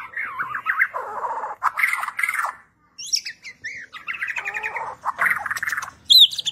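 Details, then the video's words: Vigorous song of a Borneo white-rumped shama of the gembung type: bursts of fast warbled, wavering notes alternating with short high clear whistles and sweeping squeaks, a brief pause midway, finishing with a loud high slurred note. "MURAI BATU BORNEO/MURAI GEMBUNG GACOR ISIAN MEWAH"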